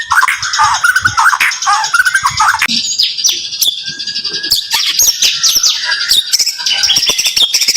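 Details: White-rumped shama (murai), rapid song bursts for training: dense fast chirping and trills, a short pause, then bright high whistled notes rattled off in quick series.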